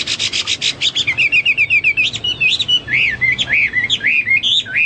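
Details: Hwamei, a pet songbird opening with rapid harsh chatter, then a quick string of short repeated whistles and swooping, bending whistled phrases, loud and continuous.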